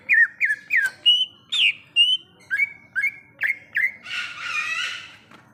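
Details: A wild greater green leafbird sings in the forest with a steady series of loud, slurred whistled notes about every third of a second, changing pitch, then a long harsh, scratchy chatter at the end.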